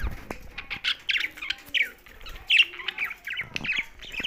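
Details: Budgerigars housed alongside a parrot chirp in short bright bursts, quick warbled notes coming in clusters separated by brief gaps.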